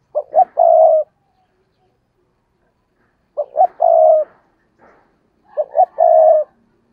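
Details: Decoy spotted dove perched in a tree, cooing and calling to lure and stir wild doves; three mellow phrases of two short notes then a long level croon, about every two and a half seconds, on a quiet background.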